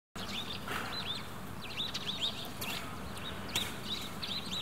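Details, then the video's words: Sparrows chirping on Shuita Road, Mingshan District, Benxi City, Liaoning Province, China, on 5 February 2023: short, thin, high chirps repeated in loose pairs and clusters over a steady low outdoor rumble. "Sparrows Are Chirping."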